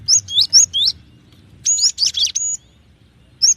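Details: Cinereous tit singing short groups of piercing, upslurred whistles. A set of sustained bright notes follows, then a closing single chirp after a silence.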